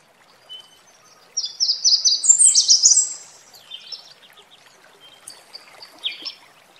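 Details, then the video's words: Singing red warbler by a waterfall: after a brief quiet, a lively phrase of high buzzy trills and quick sliding notes rising in pitch, followed by scattered softer chips and one short high phrase over gentle water noise. "Kırmızı Ötleğen Kuşu Ötüşü"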